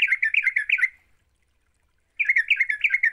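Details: Lure recording of a sooty-headed bulbul singing energetically (gacor): a short, fast run of rolling, bubbly notes, about a second of silence, then another lively burst of the same chatter.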